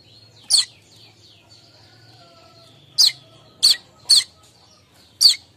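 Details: Streaked weaver in the morning giving its lure chatter: one sharp chip, a pause, then a quick run of four high chips over a thin sustained tone and low hum.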